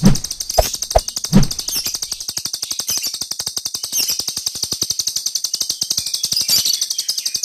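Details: Jalak Rio starling giving its rapid 'tembakan' burst song, used as a master recording for training songbirds: a dense, fast, buzzy chatter of clicking pulses with a hissing high band, steady throughout, with a brief low thump near the start.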